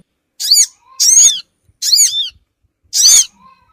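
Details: Lure call for Sogon, used to draw small wild birds together: loud high squeaky chirps with steeply descending harmonic strokes, in bursts about every 0.8 seconds, with faint low whistles between.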